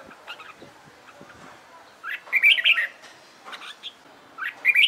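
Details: Red-whiskered bulbul in competition song training, with loud chattering warbled phrases among fainter chirps and some background clatter.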